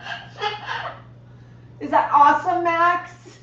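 A Moluccan cockatoo gives two bursts of speech-like chatter and chuckling, the second louder and rising into a drawn-out laughing run, heard indoors.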